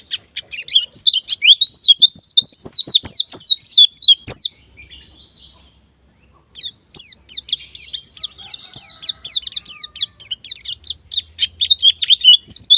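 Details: Long, energetic white-eye twittering from a lure meant to make pleci sing ngalas and nembak, with dense runs of high chirps, a short quiet gap midway, then more rapid staccato notes.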